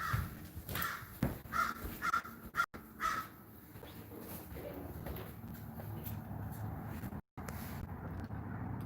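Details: Big black crow in a backyard, unusually close, noisy, heard from indoors: about six harsh caws in quick succession over the first three seconds, then only a low background hum with faint clicks and a brief dropout.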